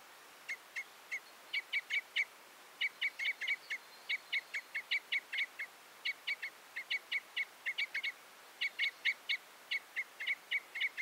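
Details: Common Crossbill with a long, steady stream of dry, metallic kip notes, grouped in bursts of three to six, near-continuous throughout.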